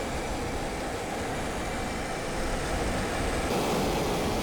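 Steady broadband rumble and clatter like a passing train or vehicle, with no animal calls.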